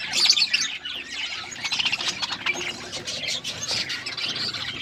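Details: Budgies chirp while eating, continuous squeaky, grating chatter with quick repeated notes, loudest at the start and fading slightly later.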